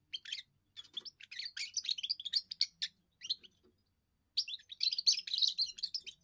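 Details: Young European goldfinch giving its first song, used to defend territory and attract females: bursts of high, tinkling, twittering notes in fast jumbled phrases, broken by short pauses and one longer silence.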